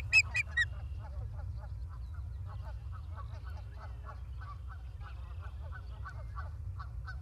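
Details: Osprey at a nest in Charlo, Montana, on a live camera, 28 August 2023: three loud piercing whistles open, followed by a fast run of soft, clipped chirps repeated a little more than twice per second, over low background hum.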